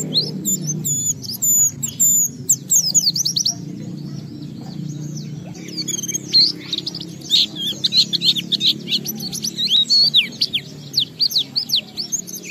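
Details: Oriental white-eye in heated song, played to provoke other white-eyes to answer; bursts of fast high chirps, a quiet stretch, then a long lively run of sharp slurred notes, with a low droning background.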